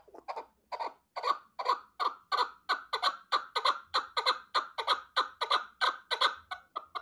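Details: Male chukar partridge singing a loud rhythmic series of harsh clucking chuck notes, about three each second, evenly spaced and sustained throughout, with little other sound.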